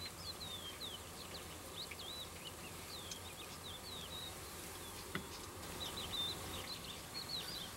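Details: Cretzschmar's bunting, a migrant, recorded at Yotvata, Israel on 10 March 2013: a run of short, high, thin descending and slurred notes, repeated rapidly, over steady low background hum and rushing noise.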